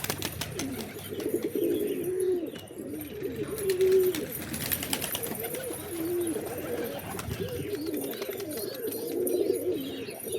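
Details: Several pigeons cooing almost continuously, overlapping low throaty rolls, with clicks and rustling noise and a hint of speech.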